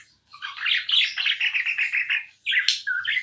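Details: Tame pet budgerigar chattering indoors, a rapid run of evenly pulsed warbling chirps for about two seconds, a brief break, then sharper squeaky notes and more chatter.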